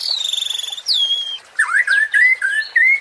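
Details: Provoking 'pancingan' song of a white-rumped shama (murai batu): a high, fluttering whistle sliding lower, then six short, clear, rising whistled notes in quick succession.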